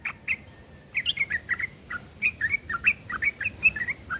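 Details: Ngeriwik kasar, the rough chattering of a sooty-headed bulbul used to tutor long-tailed shrikes: a continuous series of short, slurred chirps, roughly four each second.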